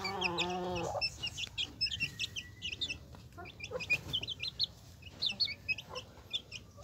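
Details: A hen opens with a drawn-out, nasal, rich-toned call lasting about a second, then her chicks take over with a steady chorus of high, sharp peeps.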